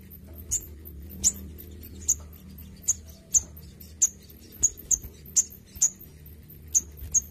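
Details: Crimson sunbird kept under intensive care in Indonesia, giving sharp, very high ticking chips one at a time, roughly every half second to second, over a low background hum.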